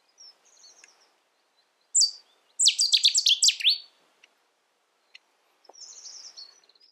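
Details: Cetti's warbler in the UK bursts out with a sharp, loud opening note, then a rapid run of about eight repeated, downward-sweeping notes lasting just over a second; faint, high twittering is heard before and after.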